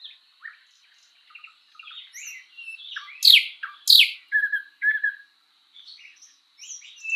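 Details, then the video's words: Spring forest thrush nightingale song: quiet scattered chirps, two loud descending whips near the middle, short whistled phrases, then faint twittering. "Bird sounds Nightingale bird singing"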